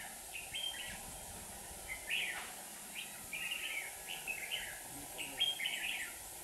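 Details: Red-whiskered bulbul singing from a trap in Hòa Bình, Vietnam, used as a decoy to lure wild birds, near a hopping bird about two hand-spans from the cage: a series of short warbled phrases, fairly soft, with a constant hum.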